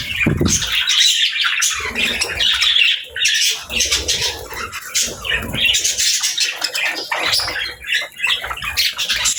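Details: Pet budgerigars, called happy birds, chirp and squawk in uneven bursts of scratchy warbling, with short quieter gaps and a few low thumps between phrases.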